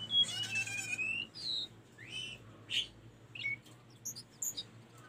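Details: Tledekan gunung song meant for training caged birds: a rapid buzzy trill, then varied short slurred whistles rising and falling, with scattered high squeaks and a low hum behind.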